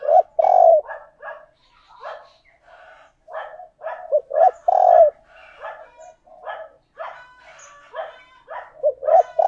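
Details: Spotted dove decoy calling to entice wild doves: repeated low, mellow coos, loudest near the start and at five seconds, mixed with a steady chorus of softer coos from other doves.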